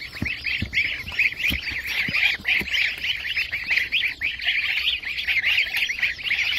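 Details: Young White Chinese goslings at a hatchery; many high-pitched arched peeps repeated rapidly in an unbroken chorus, with occasional faint low knocks and clicks.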